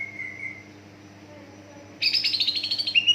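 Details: Greater green leafbird singing as a lure for untrained leafbirds: a soft level whistle, a quiet pause, then a loud buzzy rapid burst of harsh pulses ending in a brief whistle.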